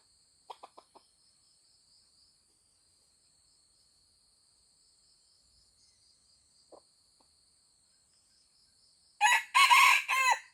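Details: Old junglefowl from Aceh, Indonesia, crowing once near the end, a loud harsh three-part phrase after a long stretch of steady insect trilling and a few soft clicks.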